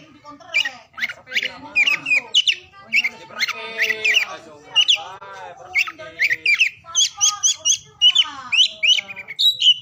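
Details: Oriental magpie-robin singing for use in stimulating mute or lazy birds. A busy, varied stream mixes harsh, buzzy, harmonic notes with sharp high whistles and trills in rapid succession.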